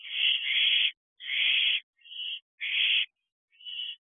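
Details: Two young barn owls return to their owl box at night, 9:22 pm, 6/12/23, producing long breathy hissing screeches up to nearly a second, five bursts alternating louder and softer, nothing else heard.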